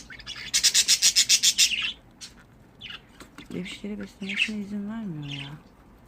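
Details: Pet budgerigars chattering: a fast, rhythmic burst of harsh, rasping chirps repeated about four times a second for two seconds, then scattered twittering notes mixed with a person speaking.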